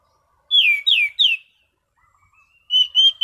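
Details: Caged Orange-sided thrush singing in relaxed "ngeplong" style: three loud, clear whistles sweeping downward in quick succession, then a short pause and a steadier whistled phrase.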